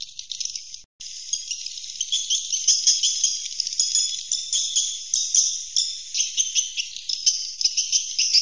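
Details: Roosting call of swiftlets: continuous high twittering chatter of quick chirps and trills that pulses in loudness about twice a second, after a brief silent gap near the start.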